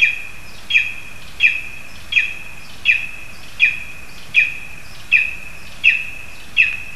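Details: Lesser spotted eagle in a spruce in Zemgale, Latvia, a frog brought to the young; a sustained series of ten high, sharp yelping calls at a regular rhythm, with a faint continuous high hum.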